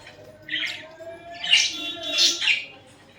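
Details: Pet budgerigars cuddling and fighting, giving three short raspy chirps spaced about half a second to a second apart in a quiet room.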